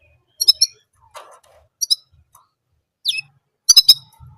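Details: Orange German canary repeating a single song sound: short clipped trilled bursts and a downward-sliding chirp, separated by pauses, with some faint mid-pitched rustling.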